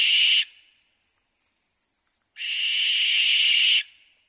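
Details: Barn owl: the tail of one hissing shriek, then after a two-second pause a longer harsh, noisy screech of about a second and a half.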